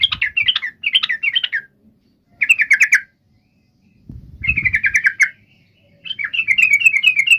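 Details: Rival-calling lure of a yellow-vented bulbul: four separate phrases of rapid, slurred chattering notes, each about a second long with pauses between, one accompanied by a low rumbling noise.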